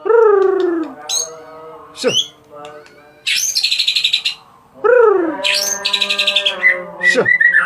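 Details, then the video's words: Murai batu of the Medan type, the white-rumped shama, mixing falling, rich-toned notes with loud harsh chattering bursts and sharp sweeps, followed by short whistled notes. "Burung murai batu medan"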